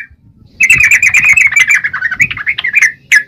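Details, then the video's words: Yellow-vented bulbul (trucukan) singing actively: after a faint opening note, a rapid run of buzzy, slurred chirps lasts over two seconds, ending with one louder separate chirp; soft low background noise. "Burung trucukan gacor..!!"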